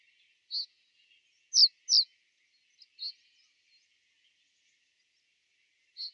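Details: Winter call notes of a common reed bunting at Genk, Boxberg, 2012–2013: six brief, high, thin notes, some slurring downward, given irregularly about half a second to a few seconds apart against quiet background.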